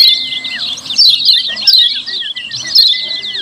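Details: Busy 'ciak ciak' chatter of lemon-bellied white-eye, the sound used as a lure to draw other white-eyes: continuous shrill twittering with short flat whistled notes scattered between the chirps.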